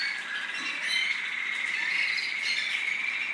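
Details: American singer canary, a captive-bred bird in the UAE, singing a continuous warbling song with a sustained trill that holds steady and loud throughout.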